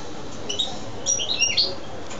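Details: Wild goldfinch kept in a cage, giving a short burst of bright, high twittering chirps, several quick notes in under a second, over a steady low background hum.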